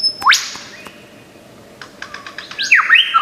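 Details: Australian forest lyrebird copying sounds: a sudden upward-sweeping whistle into a held high tone, a few faint clicks, then a bright zigzag of rising and falling whistled notes at the end, over a soft hum.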